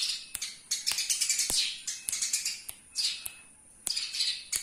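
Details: Eurasian tree sparrow, local master recording for training birds: rapid clusters of bright, high chirps and squeaks with sharp clicks, then a quieter pause near the end before chirping resumes.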